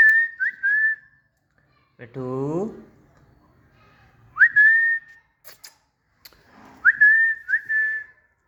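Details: Talkative pet green parrot playing in a garden gives pairs of rising-then-level whistles, with a short harsh grating note between them and brief quiet gaps.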